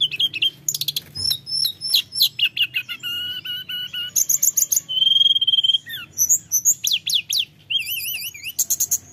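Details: Mountain flowerpecker singing constantly, used to stir lazy caged flowerpeckers into singing: a dense run of very high thin chips, trills and wavering whistles changing every second, steady soft hum underneath.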